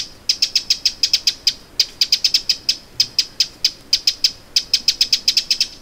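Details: Alarm of a Eurasian wren by Lake Vänern in Sweden, late July 2017: hard clicking notes delivered in fast rattling runs, a brief gap near the start, then near-continuous ticking.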